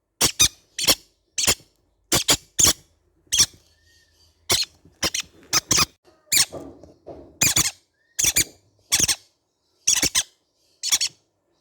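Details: Baby green-cheeked conure parrots giving short, harsh, screechy squawks in quick pairs and runs, about twenty bursts with brief gaps, some softer rustling between calls.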